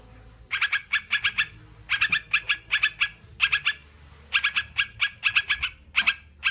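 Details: Sooty-headed bulbul chirping in clustered bursts: groups of three or four crisp, ringing notes with quiet gaps between them. Recorded as therapy to encourage kept birds to sing. Faint background hum.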